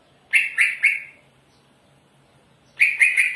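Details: Greater green leafbird singing energetically: two bursts of three harsh, buzzy chattering notes each, separated by a second and a half of quiet.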